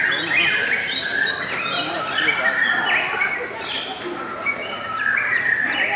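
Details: Continuous lovebird chatter: busy streams of quick squeaks, twittering notes and short rising whistles, about three notes a second, steady in loudness throughout.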